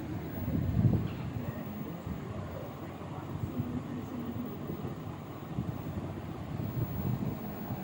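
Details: Low rumbling noise like a vehicle or passing train, with faint indistinct voices and no animal calls.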